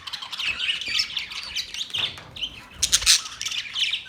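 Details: Australian parrots, recorded on October 10, 2023; harsh, scratchy squawks and chattering calls overlap continuously, with sharp louder bursts near the end and several birds seeming to call at once.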